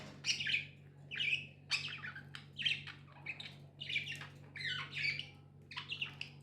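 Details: Budgerigars, tame pets, utter evenly spaced harsh chirps about every second, each a short scratchy squawk with a slight warble, over a faint steady low hum indoors.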